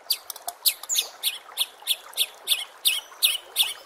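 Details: White-rumped shama training song for bird contests: high, harsh chattering notes repeated about three times a second in a steady series.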